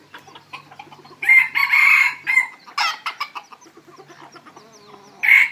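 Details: Red junglefowl kept as decoy birds at a fowl-keeping site in the evening: a loud, broken crow in several harsh segments, then a second short crow near the end, over soft clucking and scattered chirps of small birds.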